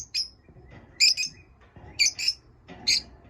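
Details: Pet lovebirds giving short chirps in pairs of quick high notes, repeated about once a second, some slightly harsh, over low background noise.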